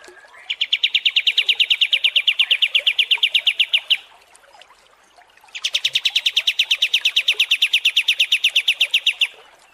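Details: Cream-vented bulbul (kapas tembak) long training song for contest birds: two long, rapid, evenly pulsed trills of bright notes, each about three and a half seconds, with a short pause between.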